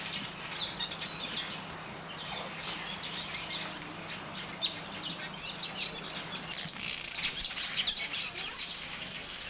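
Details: Brown babbler at Nianing, Senegal: a dense stream of harsh, scratchy chattering notes that grows louder and busier toward the end, with thin high whistles from other birds and a low steady hum underneath.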